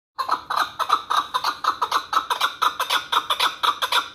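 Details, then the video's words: Hunting chukar partridge from the Pamir giving rapid, harsh clucking notes, about two per second, in a steady chuk-chuk run with little background noise. "Кабки шикории Помир"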